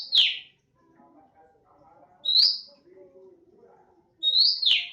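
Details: Untrained oriental magpie-robin in bursting 'nembak' song: three loud, piercing whistled notes, each a quick high sweep falling away, spaced about two seconds apart, with soft low murmurs between them.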